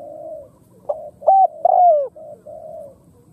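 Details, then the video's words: Khmer spotted dove giving one phrase: a short soft note, a level hooting coo, then a longer coo that slides downward, with quieter low coos fading in before and after. "Khmer Spotted Dove Sound លលកខ្មែរសម្លេងល្អណាស់"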